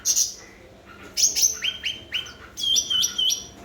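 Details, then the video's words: Energetic cucak ranting, the grey-bellied bulbul, used to prompt silent birds: a high opening note, then runs of quick slurred chirps, a fast series in the last second. "Burung Cucak Ranting Gacor//pancingan cucak Ranting Macet Bunyi."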